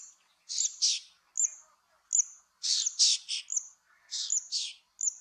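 Zitting cisticola giving sharp, high, clicking 'zit' notes mixed with harsher raspy bursts, repeated unevenly about every half second; no other sounds.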